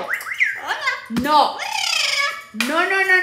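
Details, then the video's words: Talking pet parrot at home, uttering rapid rising and falling speech-like syllables that run into a drawn-out, harsh squawking phrase and a final nasal call. "Loro dice que el es una preciosura"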